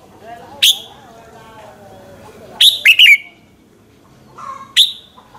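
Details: Red-whiskered bulbul singing a lure song in the morning; a single sharp whistle, then a quick three-note whistled phrase, a low warble and another lone whistle.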